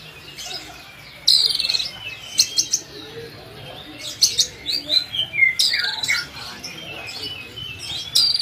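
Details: Oriental magpie-robin (kacer) recorded as master song for teaching other kacer birds, giving scattered bursts of sharp whistled and chattering notes with gaps, over steady background hiss.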